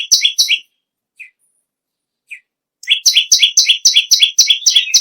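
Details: Bar-winged prinia song, a tutor bird for other songbirds: two buzzy notes, a long pause with two faint chips, then a rapid, regular burst of buzzy double-tone notes.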